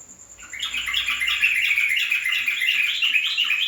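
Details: Yellow-vented bulbul singing a loud, bubbly run of quick warbled and chattering notes that rise and fall without pause after a quiet start, with a thin steady high whine behind it throughout.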